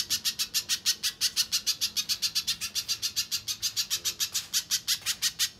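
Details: Little spiderhunter in gacor form, played as a lure and master song for contest birds: an unbroken string of loud, shrill, clipped notes, roughly five per second, with a slight hitch near the end.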